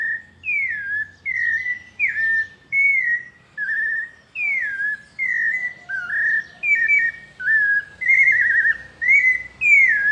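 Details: Pale-breasted thrush in paulista song style, a rhythmic string of clear whistled phrases, some falling, some trilled, about one per 0.7 seconds, faint low hum in places.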